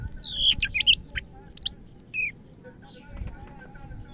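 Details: Medan greater green leafbird singing energetically: looping whistled slurs and short sharp notes in quick clusters, followed by a brief buzzy phrase and a few softer notes, against low background rumble.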